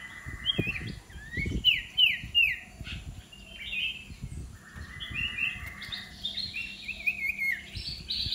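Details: A young black-naped oriole being trained as a fierce decoy bird gives a rapid series of short, clear whistled notes sliding down in pitch, some higher and more nasal, over low knocks and rustling.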